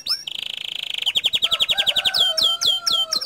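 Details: Bottle-green canary song used as tutor material, with a fast high rattling trill, then rapid repeated notes over a steady lower whistle, ending in sharp rising-falling whistled phrases.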